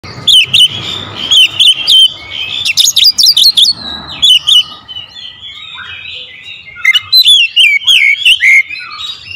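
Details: Oriental magpie-robin (kacer) singing in the 'tembakan rapat' style, used as a lure recording: dense bursts of sharp whistled notes and harsh clicking strokes in quick runs, with a short quieter pause midway before the rapid phrases resume.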